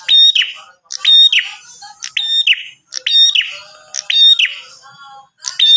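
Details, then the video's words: Bar-winged prinia, lively and vocal, used to draw other prinias into answering: a high, sharp chirped phrase, a clear whistled note followed by a downward buzzy slur, repeated about once a second with layered overlapping notes. "Suara Burung Prenjak Atas Gacor"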